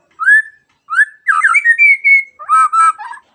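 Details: Morning magpie-robin song said to make other birds sing along; a few slurred mellow whistles, then a sustained clear whistle and a rich warbled phrase, in a quiet setting.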